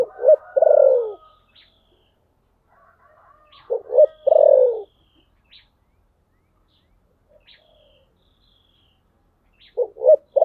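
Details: Spotted dove cooing in the 'thổ sấm' voice style: three low, mellow phrases a few seconds apart, each a pair of short notes and then a longer, falling coo, with faint chirps between.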